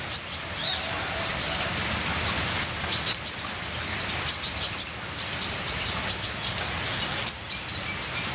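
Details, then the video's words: Ninja sunbird singing softly with full varied notes: sparse thin high chips and short trills, clearer toward the end, over continuous rain-like patter. "Terapi Suara Kolibri ninja full isian"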